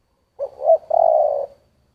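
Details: A single spotted dove phrase in the 'giọng thổ' style: a brief soft note, a swelling hoot, then a long, level, mellow coo fading out. Quiet background.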